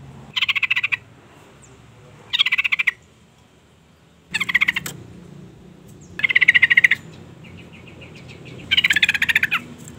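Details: Calls of a female sooty-headed bulbul, meant to provoke a male: short buzzy, rasping chatter bursts of about half a second, repeated roughly every two seconds, with quiet gaps between them.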